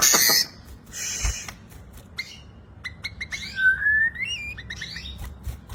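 White-rumped shama singing rich, varied whistles, a long rising slurred note and quick chipping phrases, opening with harsh bursts of noise.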